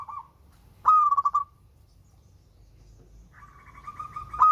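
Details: Local zebra dove with a sweet voice gives a loud pulsed, rolling coo, then a pause, then a long, steady, slightly buzzy drawn-out note leading into another coo.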